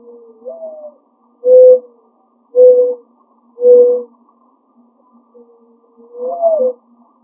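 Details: A mourning dove coos from a tree in a neighbouring yard, later from a backyard shed: a soft rising, sliding note, then three low, hollow hoots about a second apart, then the sliding opener begins again.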